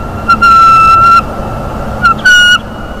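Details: Excited bald eagle eaglet at a North East Florida nest, father arriving with a mammal as prey, winter morning: a long, level whistled squeal followed by a shorter one, thin and piercing over faint background hiss.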